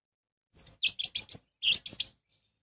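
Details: Orange-headed thrush song meant to excite other orange-headed thrushes into singing: a brisk burst of about eight sharp, high chattering notes in two quick groups, clean with no other sounds.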